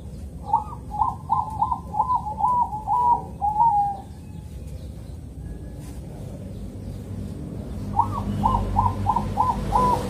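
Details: Two phrases from a Bangkok-type zebra dove in Kediri, East Java, whose calm morning song is used to lure other zebra doves to sing. Each phrase has seven or eight quick coos, the first ending in a long note, separated by a four-second pause.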